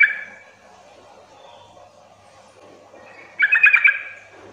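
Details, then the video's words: Yellow-vented bulbul calling to draw replies from less vocal bulbuls; a chatter fades at the start, then after a pause a loud run of quick bubbly notes follows. "pancingan agar trucukan bahan cepat gacor bunyi Sahut sahutan"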